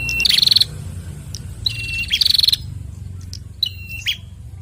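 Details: Male and female bar-winged prinia answering one another: two bursts of rapid ticking trills preceded by high whistles, then a softer whistled pair of notes near the end.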